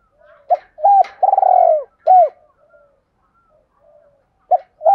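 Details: Urgent cooing of a spotted dove, 'giọng thổ' voice: a short note, a bent coo, a long tremulous purr, and a falling coo. Faint soft background sounds follow, then the next phrase starts.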